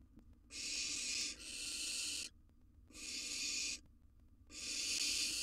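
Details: Wild barn owl nestling in a nest box, devouring a gerbil: long breathy hissing screeches, one almost two seconds, broken by brief pauses, with faint scuffling underneath.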